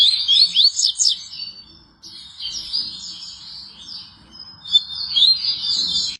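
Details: Double-collared seedeater song, a lively stream of high, sharply slurred chirps and warbling twitters in two or three bursts, briefly pausing before resuming, over faint low background hum.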